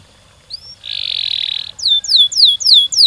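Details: Singing canary whose long rolling song is meant to set off other canaries: faint rising whistles, a steady buzzy roll near one second long, then loud descending slurred whistles repeated about every half second.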